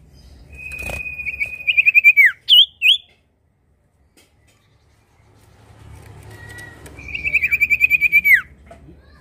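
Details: Prinia singing as a lure to get other birds going: a fast, high, evenly pulsed trill that drops away at the end, then two short rising whistled notes, a pause, and a second trill over a faint background hum.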